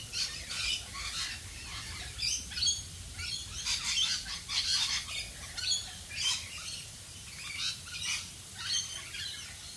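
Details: Rainbow lorikeets in the rain in Australia, repeated short shrill screeches and chatter at moderate distance over a steady hiss of rainfall.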